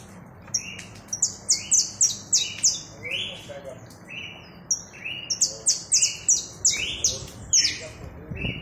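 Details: Saffron finch song alternating bursts of high, ringing chips with lower slurred whistles. A short pause comes midway before another run of quick, bright notes.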